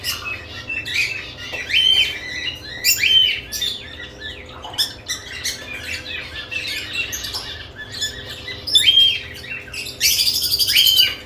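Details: Several lovebirds busy at newly added nest boxes, uttering quick high chirps in scattered clusters with brief thin whistled notes, a dense burst of harsh squawks near the end, faint low hum beneath.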